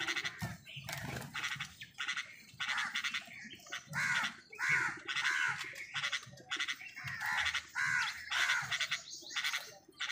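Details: Crows fighting with wild birds for food, giving harsh, hoarse caws in quick bursts, roughly two per second and irregular, with short gaps between them and faint low rumbling underneath.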